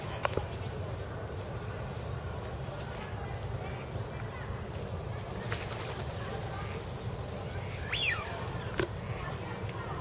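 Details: A single shrill, high, piercing call from a common kingfisher at Midorigaoka Park, Itami, Japan, brief and sharp, over steady low rumbling background noise.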